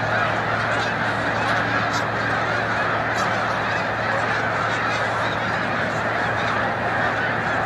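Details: Huge snow goose flock on migration at Montezuma, New York, 7 March 2022; countless honking voices merge into a constant loud clamor, a few sharper calls standing out, plus a steady low drone.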